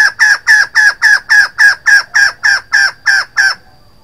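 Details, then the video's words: A female White-crested laughingthrush gives a steady series of twelve loud, harsh, evenly spaced notes, about three to four per second. The series stops abruptly, leaving near silence. "White-crested laughingthrush female sound 02"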